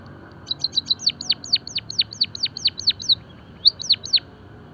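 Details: Java sparrow song used to train and stimulate other birds: quick clicking notes lead into a steady string of falling whistled sweeps, a short pause, then two more sweeps.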